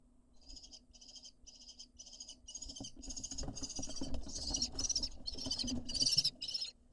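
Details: Lesser kestrel nestlings begging as they are fed outside the nest entrance: rapid series of short, harsh, high chittering notes, about two per second, growing louder and more frantic toward the end, with low rumbling scuffles beneath.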